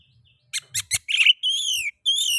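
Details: Oriental magpie-robin song used as a lure to stimulate other magpie-robins to sing: three short clipped notes, then a buzzy burst and two long clear whistles sliding downward with bright overtones.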